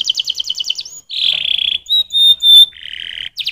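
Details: Canary song with a quick trill, a buzzy rattle and pure ringing whistled notes, then a lower buzz and another trill.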